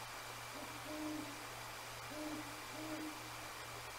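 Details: Great Horned Owls, two calling back and forth near the Decorah North Nest around 10 p.m. on 1/18/24, heard but not seen: faint, low, soft hoots in short groups against steady background hiss and hum.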